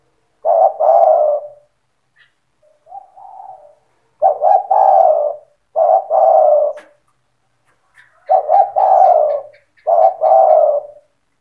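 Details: Spotted dove singing in the lively cetretan style, used to stir other doves into calling back. It gives loud, throaty, rolling coos in grouped phrases of about a second each, separated by short pauses, with one softer, quieter phrase near the start.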